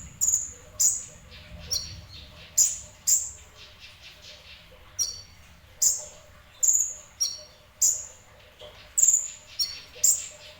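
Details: Sunbird, locally called kolibri ninja, in partial full song: very high, thin, sharp chirps given in bursts, roughly one every half to one second with a brief gap midway, over a quiet background.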